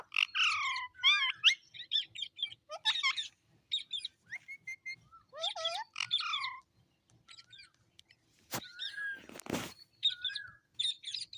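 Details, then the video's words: Cute talking parrot at home says its own name over and over: quick, harmonic, speech-like syllables and chirps in clusters, with a sudden loud broadband rustle or thump near the end. "Mitthu Mitthu Talking Parrot"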